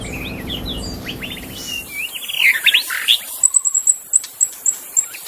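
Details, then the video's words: Magpie-robin in the wild forest: a jumble of varied whistles and chirps, then a run of sharp, very high, evenly spaced pips repeated roughly every third of a second, with low background noise early on. "suara burung murai asli di hutan"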